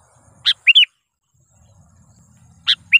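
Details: Trained sooty-headed bulbul (kutilang) used as a lure, giving two brief pairs of notes, a sharp chip followed by a rising slurred whistle, with soft low background noise.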